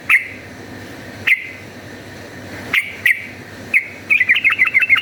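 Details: Yellow-vented bulbul in full, fighting voice, played as a lure: a few separate sharp chirps near two kilohertz spaced over four seconds, then a quick bubbly burst of short up-and-down notes at the end.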